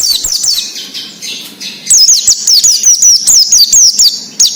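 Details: Wild-style 'ngalas' song of an Oriental white-eye, played to coax untrained captive birds into singing: high, thin, fast twittering. A busy opening is followed by a long run of quick zigzag notes repeated about twice per second.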